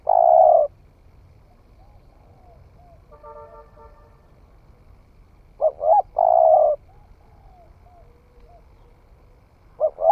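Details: Spotted dove newly come into its cooing, tried out in a forest setting. One long hollow coo opens the clip. After a pause, with a faint buzzy note in the gap, a full phrase follows: two short notes and a drawn-out coo, then another phrase begins.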